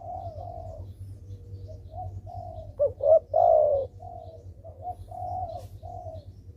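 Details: Spotted dove calling vigorously as a lure to prompt lazy doves into calling: quieter drawn coos surround one strong phrase of two quick notes and a long descending coo, with a low mechanical-sounding hum throughout.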